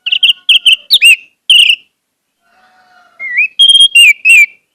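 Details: Orange-headed thrush song played to coax a silent bird into singing often: a run of quick repeated whistled notes, a pause over faint hum, then a rising slur and three clear descending whistles.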